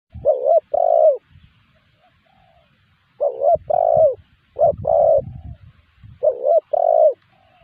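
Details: Spotted dove calls used as a lure for wild doves: repeated two-note coos in bursts, low mellow notes rising then falling, about three phrases over eight seconds, with low rumbling handling noise underneath.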